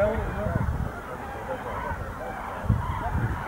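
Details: Many Common Cranes, gathering to roost at Rehdener Geestmoor near Diepholz, Germany, on 8 November 2014, call at once in loud, rolling, trumpeting notes that overlap into a constant chorus, over a low rumble of wind or distant traffic.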